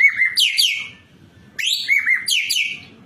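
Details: White-breasted kingfisher 'gacor full isian' song, recorded for training cage birds. Two similar phrases about 1.5 seconds apart, each a wavering whistle followed by buzzy notes that sweep down.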